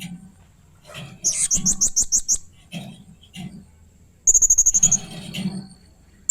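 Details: Blue-crowned hanging parrot giving strange and fierce sounds: a quick series of about nine sharp, high squeaky notes, soft low clicks between, then a second fast rattling run of shrill ticks.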